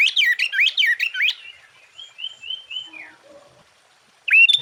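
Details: Sooty-headed bulbul in energetic song intended to stir other bulbuls: a quick burst of looping, bubbly whistles, then a softer series of level whistled notes and a falling slur, ending with a loud rising whistle.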